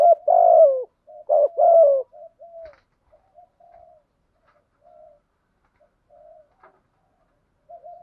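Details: Spotted dove kept as a decoy to attract wild doves gives one loud hollow coo phrase at the start. Only soft, scattered low coos follow, with near silence between them.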